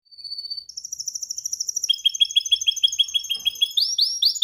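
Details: Canary singing during training: a long high steady tone shifts into fast trills of repeated notes, about three per second or more, ending in louder rising-falling sweeps.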